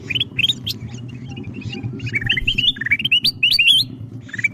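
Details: Bulbul lure sound for calling wild ruby-throated bulbuls: loud, hurried sequences of sharp rising whistled chirps, some jumping high, from several birds at once, over a low humming background.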